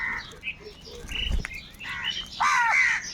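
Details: Crows in a large flock fighting for food: scattered short calls at first, then a loud, drawn-out hoarse caw near the end, with other crows calling faintly behind.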